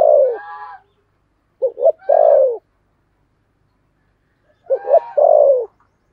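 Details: Spotted dove used as a lure bird, 'thổ' voice, calling to bring in other doves. The end of one long coo, then two complete phrases of two brisk notes and a drawn-out falling coo, roughly three seconds apart.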